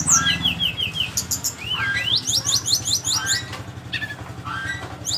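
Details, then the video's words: Flycatcher singing a varied, fast song: runs of repeated high chirps, then rising and falling whistled slurs and buzzy notes, about 2.7 notes per second, over a low steady engine-like hum. "burung sikatan rimba"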